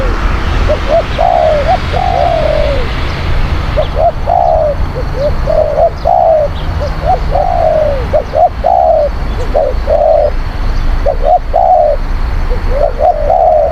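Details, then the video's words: Spotted dove cooing, sound used to lure wild doves: a long run of short low coos, each soft double note followed by a longer falling coo, repeated steadily over low background rumble. "ต่อนกเขาใหญ่ เสียงนกเขาใหญ่"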